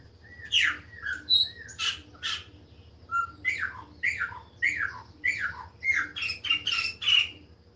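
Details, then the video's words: A Chopi blackbird sings loud, varied phrases of rich whistles and harsh squawky notes, one roughly every half second, with a faint steady hum underneath. "LINDO CANTO DE PÁSSARO PRETO OU GRAÚNA/CLAÚNA"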